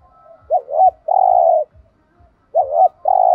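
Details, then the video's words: Two paired phrases from a spotted dove in thúc gù style, played to get captive doves calling: each a short rising-falling note followed at once by a longer flat coo, with soft low ticks between. "tiếng chim cu gáy kích bổi/tiếng thúc gù bài bản giọng hay giúp bổi nhanh gáy"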